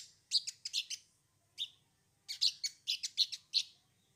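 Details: Sogon song used as a lure to prompt other birds to sing: sharp, high chirped notes in two loose bursts, each note clipped and bright, with quiet gaps between them.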